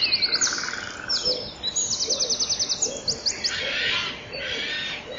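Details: Common kingfishers at their nest on 7 April 2013 at 07:26, the female inside cleaning and grabbing spider web, male and female taking turns; rapid bursts of high, thin ticking notes, a lower buzzy trill early on, then hissy rustling.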